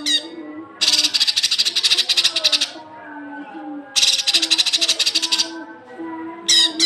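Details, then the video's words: Cucak kinoi masteran audio to get young birds singing: long grating rattles of rapid pulses repeated twice, ending in a pair of sharp high notes, over a steady low hum. "masteran cucak kinoi untuk pancingan burung bahan"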